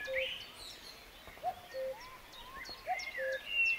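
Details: Common cuckoo in West Sussex, May 2019, gives its low, two-note falling 'cu-ckoo' about every second and a half, over a busy chorus of other birds including a blackbird and a chiffchaff.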